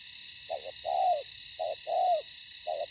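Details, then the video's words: Spotted dove heard as a decoy bird meets wild birds in ground trapping; repeated two-note coos, a clipped first note and a longer purring second, every second or so, over steady hiss. "Bẫy cu gáy mồi đất"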